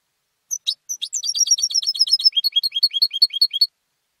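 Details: Competition European goldfinch raised at home: a few isolated high notes, a quick glittering series of repeated chirps, then evenly spaced descending slurred notes for about three seconds.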